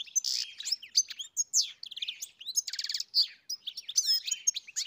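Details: Goldfinch song in a lively run of tinkling twitters, buzzy rattling trills and bright liquid notes, broken by brief gaps, with high sharp chirps scattered throughout.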